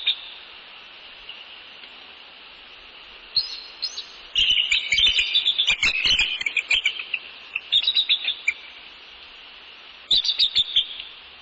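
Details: Male and female bald eagles calling at their northeast Florida nest on a January 2019 evening as they greet and tend the nest; brief piping notes build into a long, dense, excited chattering stretch, then a final short high burst.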